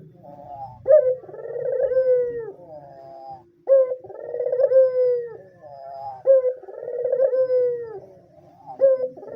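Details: Vigorous cooing of a white dove, used to draw in other doves, train learners and arouse males: repeated coos with a clipped rising start and a long vibrating, gently falling purr, three full phrases with a soft low murmur between them.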